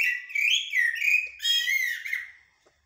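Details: Short stretch of common blackbird song in the blacksmith and military styles: clear, sliding whistles rising and falling in several connected phrases, fading out after about two and a half seconds.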